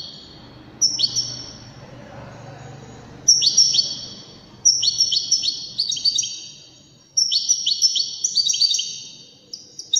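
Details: Wedani goldfinch song: repeated bursts of sharp, rippling high twitters and short ringing whistles, several notes per second, coming in waves separated by brief pauses. Soft background hum.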